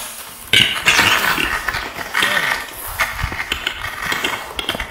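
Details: Mating display of a Western capercaillie, pine forest, Hausjärvi, Finland, late March 2018, phone recording: loud knocking clicks open the sequence, followed by a long, harsh, wheezing scrape broken by further clicks.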